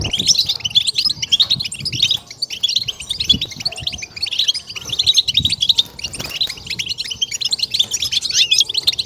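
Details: Stimulation recording of European goldfinch batbata: continuous high twittering with fast liquid notes and brief buzzy trills, swelling and easing in waves over faint low background rumble.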